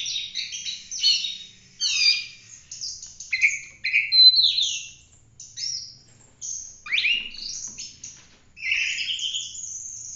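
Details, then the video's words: Oriental magpie-robin giving 'tembak' full-roll song as a tutor recording for other birds. Separate crisp phrases of high whistles, clicks and upswept slurs are spaced by short pauses, ending in a sustained rising whistle. "Kacer gacor ful roll tembak cocok buat masteran"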